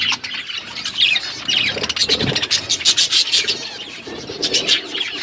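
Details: Budgerigars chirping while eating food: uneven high chirps and short warbled phrases, with scratchy rustling and some lower thumping feeding noise.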